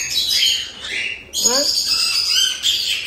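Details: Cockatiel chicks about a month old, captive-bred in Tokachi, Hokkaido, giving raspy 'jaa-jaa' food-begging cries after a feed. Loud, grating, hiss-like rasps fill nearly the whole stretch, briefly broken by a woman's voice.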